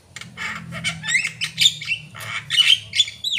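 A Javan myna sings a rapid, varied run of harsh squawks and scratchy chatter with a few clear, high whistled notes mixed in. A faint low hum sits underneath.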